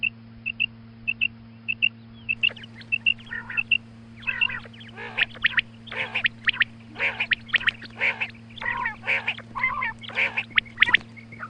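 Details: Female quail calling at morning, hunting lure: a run of evenly spaced high pips, then denser bursts of harsh chattering notes crowding the second half, low hum underneath.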